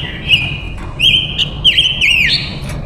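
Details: Female silver-eared mesia used as a decoy to call in wild males, giving a sustained run of bright whistles with warbled, twisting notes and a final rising slur, with steady low hum behind.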